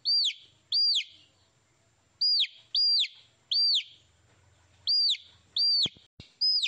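Baby chicks peeping: loud, high, arched chirps that rise then fall, often in quick pairs, separated by short pauses, over a faint low rumble.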